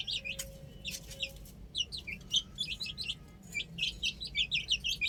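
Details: Chicks playing on a roof make quick, high, slightly descending peeps, a few scattered at first, then a steady run of chirps over the last three seconds.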